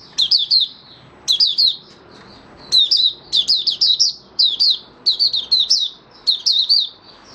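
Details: Open singing from a caged oriental white-eye (Mata Puteh Raja), five days past its monthly deworming of 20 January 2022. Rapid runs of high, piercing, falling chirps come in bursts with brief pauses, growing busier toward the end.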